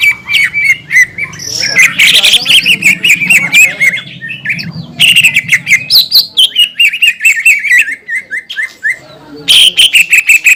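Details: Lively green leafbird song used to provoke rivals, with fast tumbling whistled phrases and chattering notes, some falling slurs, over a low humming background.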